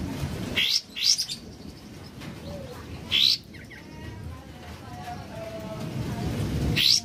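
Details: Sooty-headed bulbul singing in the morning while rain keeps falling: sharp, high, clear chirped notes at irregular intervals over a steady hiss of rain.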